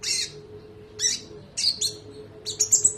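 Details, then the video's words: Spotted (trotol) konin, an Indonesian songbird, recorded as training song for other birds: bright, high squawky notes, then a rapid run of sharp chips at the end, with a faint constant electrical-sounding hum underneath. "MASTERAN TERBARU KONIN NEMBAK MEWAH❗❗ KONIN TROTOL GACOR NGEROLL PANJANG"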